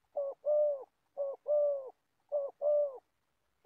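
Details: Spotted Dove kept as an old trapping decoy in Gia Lai, Vietnam, cooing loudly. Three deep short-long note pairs ring out evenly, with the start of a fourth at the end.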